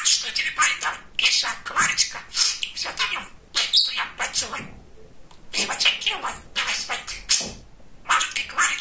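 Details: Pet male budgerigar, described as very talkative and funny, chattering in rapid bursts of high, scratchy speech-like syllables with brief pauses between phrases.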